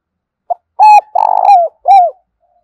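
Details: Decoy spotted dove calling to lure wild doves in for trapping: one full phrase of a short soft note, then three mellow, hollow coos, the middle one long and throbbing, dropping slightly at each end, in a quiet setting.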